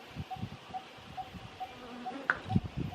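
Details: Malabar barbet, Kerala, India, repeating brief hollow tuk notes at an even pace of roughly two per second, with a sharp higher chirp from another bird and low rustling noises.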